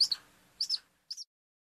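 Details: Eurasian sparrowhawk in a garden giving three short, sharp, high-pitched calls, each a quick doubled note, spaced about half a second apart, with the last one slightly fainter; no other sounds stand out against the quiet background.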